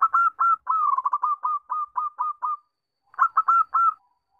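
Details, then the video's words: Zebra dove song used as a lure to start birds singing: steady run of clear hooked cooing notes with a rapid trill-like stretch, a silent gap, then four more spaced coos. "Pancingan Perkutut JITU 5 Detik Langsung Bunyi"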